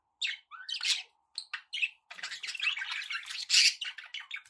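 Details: Indoor pet budgies give loud, harsh squawky chirps, then a long unbroken stretch of fast scratchy warbling and chattering.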